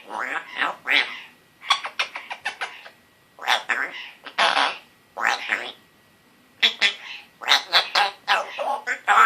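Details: Pet African grey parrot, male, one year old, which began talking around March 2017, mimicking words such as hello, hi and good boy; rapid sputtering raspberry bursts mixed with scratchy spoken syllables in repeated clusters with gaps between.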